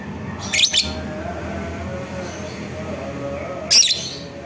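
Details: Lovebird giving its ngekek call to goad a rival to fight. Two brief, shrill, rasping bursts, the second more than three seconds after the first, with a faint low hum between them.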